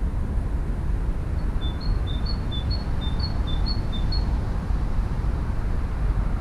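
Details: European robin nestlings at a nest near a tram line give about ten thin, high, short notes in quick alternating pitch over roughly three seconds, half-buried under steady low traffic rumble; recorded May 2017.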